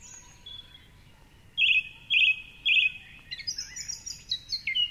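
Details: Male song thrush singing from a tall treetop perch at 4.45am along the Curragheen River, Cork City, during the dawn chorus; a buzzy phrase repeated three times, then higher varied whistled phrases, faint background hiss.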